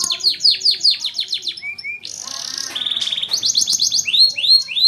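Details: Canary singing energetically as a tutor for young birds: a rolling trill of falling notes, two soft whistles, a buzzy flat rattle, then swelling repeated upswept notes.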